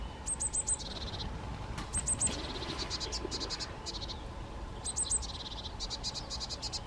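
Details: European greenfinch song in short bursts: clusters of high whistled notes each dropping into lower, buzzier rattling notes, repeated about every one and a half seconds over steady low background hum.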